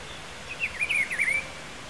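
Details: Rufous-browed Peppershrike, a wild bird of Brazil recorded at Pedro Gomes, Mato Grosso do Sul, delivers a single melodious phrase of several quick slurred whistles, wavering up and down, against a quiet natural background.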